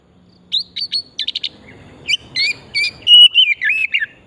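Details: Oriental magpie-robin singing, used as a lure to stimulate other birds to sing; rapid run of short whistled and chirped notes, some trilled, rising and falling, with faint low background hum.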